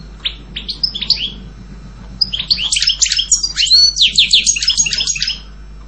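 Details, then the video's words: European goldfinch song starting with spaced, sharp high chirps, then building into a fast, jangling run of tinkling twitters lasting several seconds. "Canto jilguero Goldfinch song"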